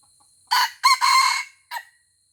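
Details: Red junglefowl in Aceh, Indonesia, fighting a decoy rooster, lets out one short crow: two loud harsh phrases followed by a clipped final note. Steady high insect buzzing runs in the background.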